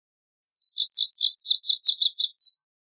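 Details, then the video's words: Lazuli bunting singing a two-second phrase of tumbling high notes, many quick down-slurred chirps run together in a bright, jumbled series. "Lazuli Bunting Song! Lazuli Bunting Call! Sound!"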